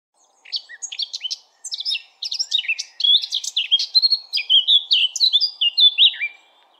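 A Eurasian blackcap sings a fast, varied warble that swells into louder, clear fluting phrases toward the end. Nothing else is heard.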